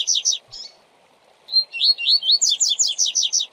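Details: Double-collared seedeater singing the classic tui-tui zel-zel song with pauses, used for training young birds: a brief opening phrase, a pause, then a quick, high run of sweet whistled and buzzy notes, about five per second.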